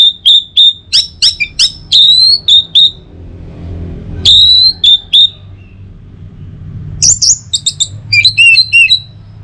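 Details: Orange-headed thrush in morning lure song: a string of about a dozen clear whistled notes repeated at a brisk pace, a brief gap, more whistles, then a rapid jumble of high chips.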